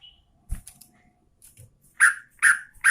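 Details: Sooty-headed bulbul, a breeding-condition female calling the male: soft clicks and rustles, then three loud, rasping chirps in quick succession at the end.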